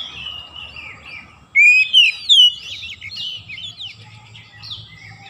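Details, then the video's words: Oriental magpie-robin song intended to rouse lazy birds into steady singing: continuous soft warbling with a brief loud cluster of three bright rising whistles around the middle, then quieter varied notes. "KACER MALAS BUNYI LANGSUNG NGOCEH GACOR TANPA HENTI"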